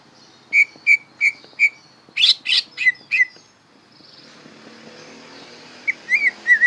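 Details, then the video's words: Greater green leafbird, young and learning to sing, utters four clear evenly spaced chips, a few harsher notes, a quiet stretch, then soft slurred whistles. "Bongkaran suara burung cucak ijo belajar berbunyi"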